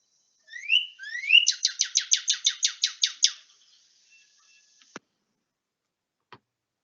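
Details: Northern Cardinal song in New England in early spring (March): two rising slurred whistles, then a fast series of about ten clear downslurred notes, ending in a brief trill; a few faint clicks follow.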